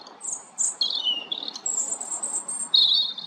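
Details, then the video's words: European robin song: a quick string of clear, very high whistled notes, some held briefly, others falling, jumping between pitches in short bursts. "roodborst zang малиновка robin Rotkehlchen rouge-gorge"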